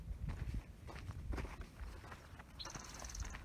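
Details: At the southern end of Wildwood Canyon State Park on the oak tree loop, on 20 June 2020, a Spotted Towhee gives a brief, high, rapid trill of even notes near the end, over crunching footsteps and low rumbling.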